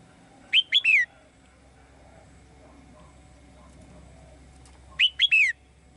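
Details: A female bird sings in a cage to call a male, giving two sharp three-note chirping phrases roughly four and a half seconds apart, each ending in a falling slur, with a faint low hum behind.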